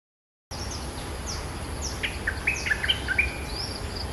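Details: Cream-vented bulbul, a territory holder confronting a rival and jumping at it. It gives a short burst of bubbly, slurred whistled notes that dip and rise, packed into about a second, over steady insect and rural background noise.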